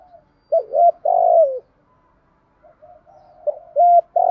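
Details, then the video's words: Spotted dove giving its call-and-challenge coo: a loud phrase of two short notes and a long falling tone, a pause with faint coos, then another phrase beginning near the end. "cu gáy kích bổi nhanh nổi gù, tiếng gáy gọi và thúc đấu hàng cực đỉnh"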